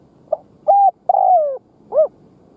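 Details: Spotted dove kept as a decoy bird, cooing to lure wild doves: a soft short note, then a level hooted coo, a long falling drawn-out coo and a final arched note, all low and clear against quiet background.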